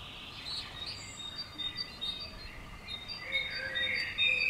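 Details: Common swifts known as 'bangers' around a house on 5 June: faint, harsh high screams come in short bursts, rising into a louder buzzy scream near the end, over steady background hiss.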